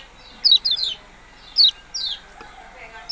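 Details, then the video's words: Yellow-bellied prinia producing loud, high, falling chip notes, a quick cluster of three, then singles at roughly half-second to one-second gaps. "burung kecial kuning ciak ciak"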